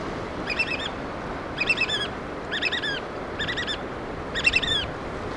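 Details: Black oystercatchers feeding their chicks: five bursts of loud, shrill piping whistles, each a quick cluster of sharp notes repeated about once a second over a steady background hiss.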